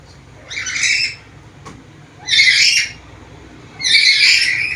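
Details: Black-capped lory, a talking bird with varied sounds, gives three loud, raspy squawks, each about half a second to a second long, spaced roughly every one and a half seconds.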